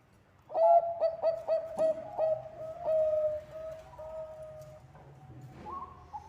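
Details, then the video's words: Bangkok zebra dove singing strongly to lure others: a brisk burst of about ten clipped, mellow coos, then a longer drawn note trailing into quieter, higher phrases. "Perkutut bangkok gacor suara ampuh untuk pancingan...!!!"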